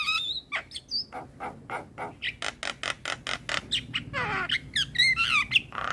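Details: Male Javan myna song used to tutor a young bird, opening with a whistle, then a fast regular series of dry clicking notes, closing in a rough tangle of rising and falling whistles.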